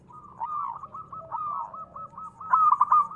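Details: Local perkutut, or zebra dove, singing keenly as a lure for other doves: a steady, soft, trilling coo rolls on, then breaks into a louder stuttered cluster of notes at the end.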